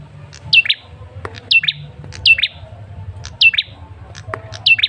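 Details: Lure call of a male red-headed tailorbird, used to draw a response from kept birds: loud, sharp chirps sliding steeply downward, usually in pairs, repeated about once a second, with brief clicks between them.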